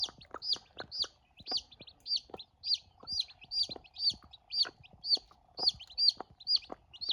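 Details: Newborn chickens on a farm, having their first meal: high, thin peeps fall in a steady series about twice a second over sharp, dry clicking and tapping, with a faint low hum underneath.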